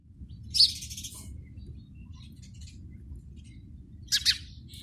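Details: House sparrow at a nest in a PVC pipe gives two sharp, high chirps, one near the start and one near the end, over a steady low rumble of background noise.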